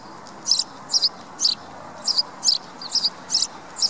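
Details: Sparrow calls as crisp, high chirps, some doubled, spaced roughly half a second apart, eight notes over steady low background noise.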